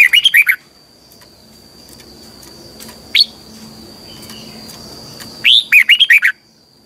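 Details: Red-whiskered bulbul, caged, giving the twisting double-voiced morning song used for training: a phrase cut off at the start, a long pause with one chip, then a full phrase of six looping whistles.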